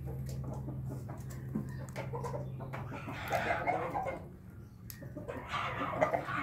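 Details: After a drink, a Bangkok hen crows in laughing style: two bursts of rough, harmonic, wavering calls, the first drawn out, the second shorter, with a constant low background hum.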